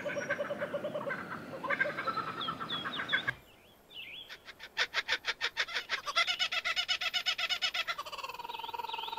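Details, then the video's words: Kookaburra song, compared to a human laugh: a harsh chattering passage, a brief pause, then a rapid pulsed rattle that speeds up into a rolling, tonal trill. "Canto da kookaburra"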